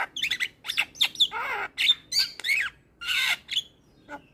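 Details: Javan myna singing energetically for a playback meant to stimulate silent mynas: grating squawks, descending rasps and brief pure whistles, delivered in short loud bursts with small gaps between.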